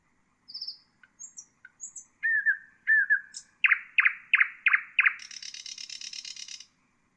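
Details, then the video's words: Common nightingale song, played for training bulbuls and other songbirds: thin high whistles, then slurred notes, then five loud descending chirps in quick series, ending in a fast buzzy rattle. "تغريد طائر العندليب"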